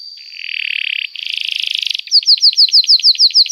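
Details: Canary singing long and emotively for training young canaries: a low buzzy rasp, then a brighter buzzing burst, followed by crisp, evenly spaced descending whistles at roughly three per second.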